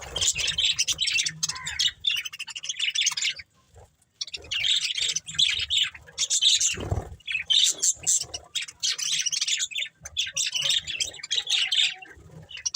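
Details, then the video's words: Budgerigars of a breeding pair chatter in high, rapid, scratchy chirps and warbles, with a brief silence early on and a low thump midway. "Beautiful Budgies Chirping Sounds | Love Birds Breeding Pair | Budgies Family"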